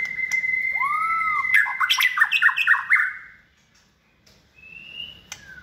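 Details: Hand-raised caged white-rumped shama in its second season, described as multi-voiced and bold in competition, holds a long steady whistle, then bursts into a quick jumble of chattering notes before falling quiet; faint later whistles.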